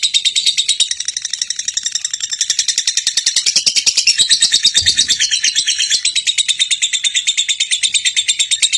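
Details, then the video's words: A champion lovebird sings a long, unbroken torrent of shrill, buzzy chirps, very high and fast, with a brief low thump midway. "LOVEBIRD JUARA | LOVE BIRD SINGING CHIRPING"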